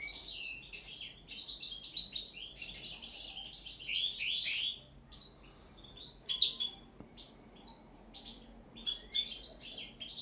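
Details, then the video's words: Captive common linnets singing on a table during their first training session, Serbia; bright, rapid twittering phrases of high chirps and trills in bursts with short pauses, loudest around the middle, in a quiet indoor setting. "ANIFLA pesma na sto, carduelis cannabina"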